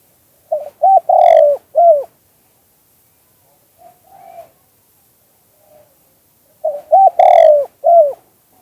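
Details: Spotted dove giving the two-kuk hanging song style used to attract doves to a trap: two short coos, a long drawn-out coo and a falling final note, repeated twice roughly six seconds apart, faint quiet cooing in between.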